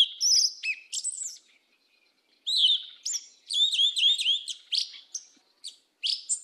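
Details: Yellow-legged thrush (sabiá preta) singing the southern "mateiro" song style: rapid bursts of high, clear whistles and slurred twittering notes, some phrases dipping and rising, separated by short silent pauses.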